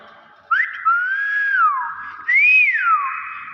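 A Nias hill myna gives loud, clear whistles: a sharp rising note, a long sliding tone that drops away, then a rising-and-falling arc.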